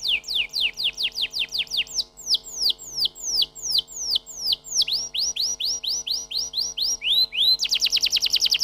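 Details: Canary song moving through several tours: rapid falling whistles, slower, louder downward slurs, a run of short rising notes, a few lower upslurs, then a dense fast trill at the end.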